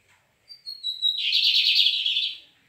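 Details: Lined seedeater (white-gloved, "luva branca"), recorded 17 May, singing since morning in a duel with another male: a few high, clear whistled notes sliding slightly downward, then a fast, buzzy, rattling trill lasting about a second and a half.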